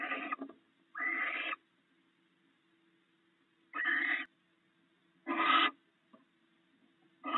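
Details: Barn owls sharing stored rats at their nest. Rasping screeches spaced irregularly, several seconds apart at times, over a faint steady hum.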